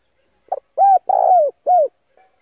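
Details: A male spotted dove used to draw wild doves coos once: a brief double note, a rounded coo, a long burry purr falling at the end, and a last arched coo, with a faint trailing note after. The background is quiet.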